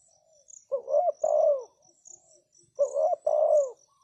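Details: Spotted dove used as a decoy to attract wild doves gives two phrases about two seconds apart. Each is a brief coo followed by a drawn-out, slightly falling coo. A faint, steady insect trill sounds in the background.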